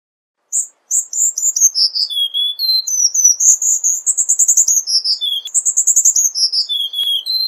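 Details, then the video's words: Cuban bullfinch singing a varied song: high trills stepping down through slurred whistles to a low note, repeated twice in succession with dense rapid notes. "Negrito Cubano Cantando - Cuban Bullfinch Singing"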